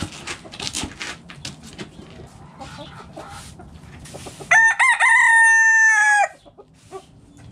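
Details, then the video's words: Backyard chickens eating in the coop, soft clucks and scratching at first, then a rooster gives a long, steady, bright crow of almost two seconds that ends abruptly, leaving quiet rustling. "Backyard Chickens Eating In The Coop! Hens Clucking Roosters Crowing"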